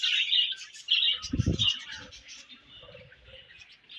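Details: Budgerigars chirping as they eat: bright chattering chirps opening loud, then softer warbling, with a low thumping burst in the middle.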